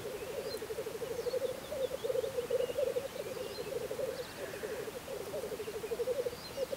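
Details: Low bubbling rookoo phrases from black grouse at a spring lek in Russia, in pulsing runs with brief pauses, and faint distant songbird calls above.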